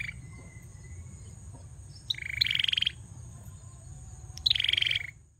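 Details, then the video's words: A male bar-winged prinia gives two loud buzzy phrases about two seconds apart, each a dense, fast pulsed trill, after a quiet opening with a faint thin note. "Prenjak Belukar Gacor"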